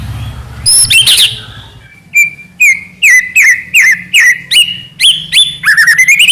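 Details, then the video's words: White-rumped shama of the Medan type singing, used as a lure to make captive shamas sing. A steady series of loud whistled notes dips and rises about twice a second, ending in a quick twittering run. "murai batu gacor AMPUH buat PANCINGAN murai batu agar bunyi"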